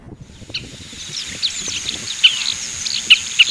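Oriental pratincoles give sharp, high, tern-like chirps, several overlapping at a quick, uneven pace. A steady thin high hum runs underneath.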